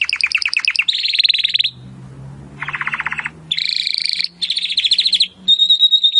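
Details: Timbrado canary singing in training audio meant to improve canaries' song: quick stacked chirps give way to dense buzzy rolls, a lower rattling trill after a short pause, more high rolls, then a pure sustained whistle.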